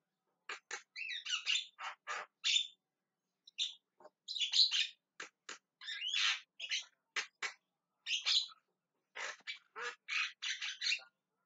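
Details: Javan myna (jalak kebo) calling insistently, giving a long series of harsh, rasping squawks and chattering notes in irregular bursts over about eleven seconds, with short gaps between groups.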